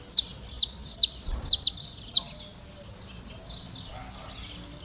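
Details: Classic song of a saffron finch: a few bright, sharply falling chirps spaced about a third of a second apart, trailing off into softer twittering and one late isolated note.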